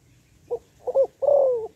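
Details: A single phrase from a female spotted dove calling to stimulate males: a short note, a doubled note, then a long coo that falls gently in pitch. Faint low hum.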